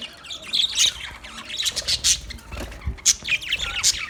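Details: Chirping budgerigars: bright, sharp squeaks and buzzy squawks in quick clusters, some rising notes, the calls spaced by short pauses.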